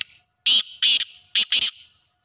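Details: Kala teetar, the black francolin, heard in village life: a faint lead-in note, then a loud rasping phrase of four harsh, buzzy notes, two spaced and two close together, lasting roughly 1.2 seconds with no other sounds.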